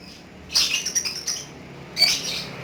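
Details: Pet lovebird giving two separate bursts of shrill, scratchy squawking, the first lasting about a second and the second shorter, over faint background hiss.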